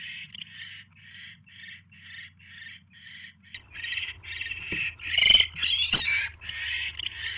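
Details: During evening mouse deliveries at an owl nest on 29 January 2016: rapid hoarse screeches about two per second, growing louder and longer midway, with knocking sounds.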